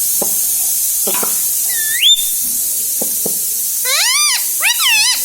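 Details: Household parrot coached to talk ("mummy", "mithu"): soft clicks, a single rising whistle near two seconds, then two wavering speech-like phrases at the end, all over steady hiss.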